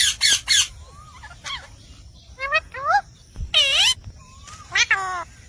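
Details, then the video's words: Indian parrot talking: harsh broadband squawks open, then a run of short tonal, speech-like syllables with slurred rising and falling notes and a brief clear whistle between them. "Indian Parrot Talking Natural Sounds"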